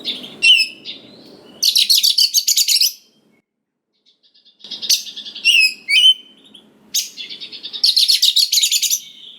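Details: Oriental magpie-robin in full song as a provoking lure for young wild birds. Repeated phrases of quick, buzzy, rattling chatter mixed with short upswept whistles, in three bursts separated by pauses.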